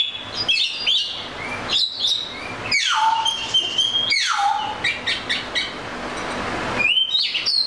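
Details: Oriental magpie-robin singing a varied, loud phrase of clear whistles, sharp upslurred and downslurred notes, and short trills with brief pauses between bursts.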